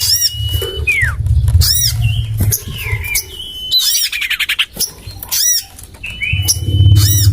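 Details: Common iora lure sound meant to attract birds, tested in a home garden: whistles curving downward, fast buzzy rattles and bright arched squeaks, over a steady low rumble.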